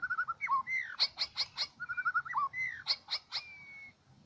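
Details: Medan-type white-rumped shama song played to lure birds into a trap: quick warbled whistles alternate with bursts of sharp, clicking notes, ending on one long steady whistle.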